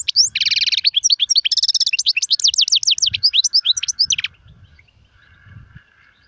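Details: European goldfinch singing in Sarfati, Gzrati and Sersir styles. A quick, bright, tinkling stream of high chirps with buzzy trilled patches and rapid rising-falling notes that stops abruptly, leaving a faint thin tone and low thumps.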